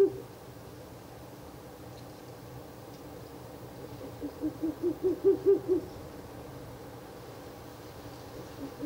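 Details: Ural owl at its nest box during the third night of visits, 16 April 2024; after a quiet stretch, a rapid crescendo of seven or eight low hooting notes sounds over faint constant hum.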